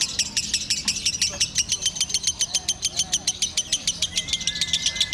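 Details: Rapid, sustained lovebird konslet song made of staccato high chirps, slightly uneven in spacing, with a thin steady whistle entering near the end.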